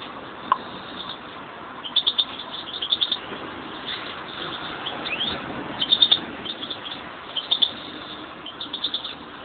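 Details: Pet European greenfinch pair; clusters of sharp, high twittering notes come in short runs at intervals, with a faint upward-sliding note between them and constant low hiss behind.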